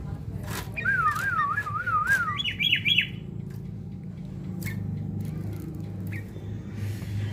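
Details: Sooty-headed bulbul in fight training, singing a wavering warbled whistle that breaks into three quick looping chirps, followed by a few faint short notes over steady low hum.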